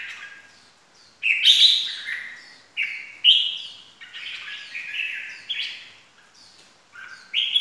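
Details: Red-whiskered bulbul lure call for trapping: bursts of loud, slurred, warbling whistles that fall in pitch, repeated irregularly with short gaps.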